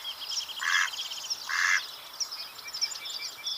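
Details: Two harsh, nasal quacks from a Mallard about a second apart, over a background of high, thin chirps from small birds.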